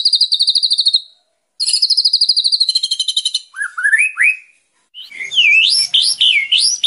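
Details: White-rumped shama, known locally as murai batu, singing for untrained birds: high rapid trills, short rising whistled notes, then loud looping upward-sweeping whistles.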